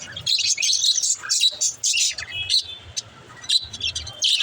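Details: Pet budgerigars chirp in dense, high, grating warbles and quick tweets, pausing briefly then resuming, meant to coax lonely budgies into chirping; soft low rumble in the background.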